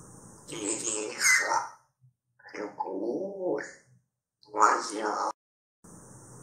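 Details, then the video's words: Grey parrot clowning around indoors, calling a person by name and singing about poplars and love; short bursts of raspy, speech-like chatter with squeaky whistled notes, separated by pauses, in a small room. "Жан прикалывается)), зовет Иришу), и, конечно же, поёт про тополЯ) и про Любовь...."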